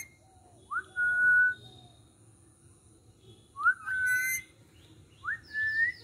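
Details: Talking rose-ringed parakeet from Sri Lanka, giving clear whistled notes that swoop up and then hold a steady pitch, three phrases about two seconds apart, with a faint background hum.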